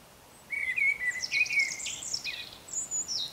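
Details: A Eurasian blackbird sings in the morning while still dark, a fluted whistle running into a high squeaky twittering flourish, with thin high notes of a European robin singing in the background.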